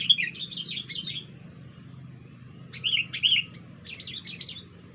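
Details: Wild sooty-headed bulbul producing odd sounds: three separate bursts of fast, chattering, warbled notes, the first long and run-on, the later two shorter, over a low rumbling background.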